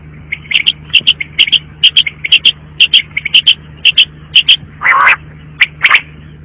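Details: Quail repeating rapid short, high clicking notes in pairs at a fast, uneven pace, with one longer raspy burst near the end and a low hum throughout.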